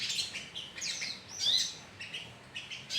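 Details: Sogon colony lure recording with scattered, softer chirps and short downslurred twitters at irregular intervals, a little more spaced than a full chorus.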